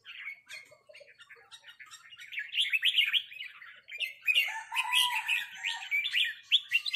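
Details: Red-whiskered bulbuls answering each other with 'rik' calls while a resident territorial bird challenges a newcomer; sparse chirps build into dense, overlapping, warbling bursts from several birds.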